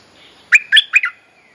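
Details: Bulbul mate-calling lure song used to teach young birds: three quick, bright chirped notes, each with a warbled tail, in under a second, over quiet background.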